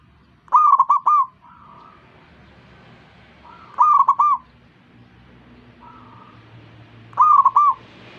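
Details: Zebra dove calling other zebra doves to join in, giving three loud rolling coo phrases about every three seconds. Between them, fainter, shorter coo phrases answer from further off.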